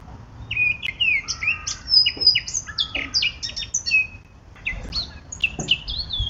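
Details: Eurasian blackcap pouring out a lively warble of mixed chirps and clear whistled notes in two long phrases separated by a brief gap, the sound bright and high-pitched.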